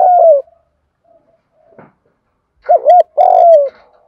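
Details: Lure spotted dove used to excite wild doves. A long falling coo closes one phrase, then after a quiet gap a wavering double coo and a long descending note repeat the pattern.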